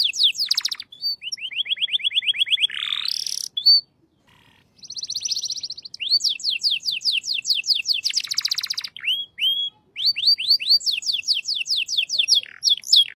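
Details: Canary singing shant-style tours: quick trills, an even whistled roll, a rising buzzy note, a pause, a buzzing hum, long rows of rapid slurred notes and a clipped whistled series.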